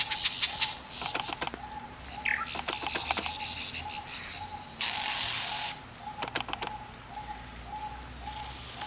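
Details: A male lyrebird singing a complex song to attract females mimics a camera shutter and a motor-drive camera: sharp mechanical clicks, a brief rising whistle, rasping hissy bursts, and a pulsed tone about four times a second.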